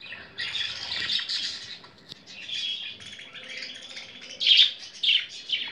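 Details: Excited female pet budgie indoors, reacting to budgies shown on a laptop, gives continuous rasping warble that swells into sharper squeaky chirps near the end.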